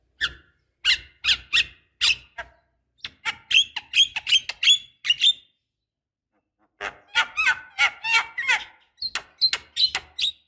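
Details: Black-winged starling female calling for a male, played as a lure: quick harsh chirps in bursts, a longer chattering series, a short silence, then a busy run of scratchy, squeaky calls.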